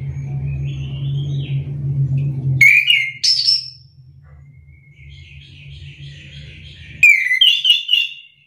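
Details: Orange-headed thrush song used as a lure to draw a response from reluctant singers. Loud bursts of warbled, whistled notes break over a steady low hum, which fades between the phrases.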